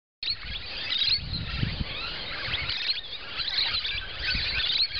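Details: Musk lorikeets feeding on nectar in Port Lincoln, South Australia, keep up a constant, shrill chatter of overlapping screechy chirps and buzzy notes, with a faint low rumble beneath.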